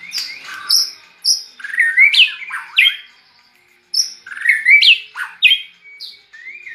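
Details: Captive white-rumped shama kept near red-whiskered bulbuls and singing like them: loud, clear upslurred and warbled whistles in two bursts separated by a brief pause.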